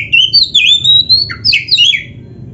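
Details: Oriental magpie-robin 'gacor' song for training caged birds: a short, loud sequence of clear rising and falling whistles, with sharp slurred notes near the end.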